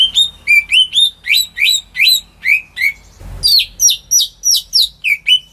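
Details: Captive home greater green leafbird song used to trigger silent birds into singing: steady series of bright, upslurred whistles, about three a second, shifting midway to higher, sharper notes after a short rustling noise.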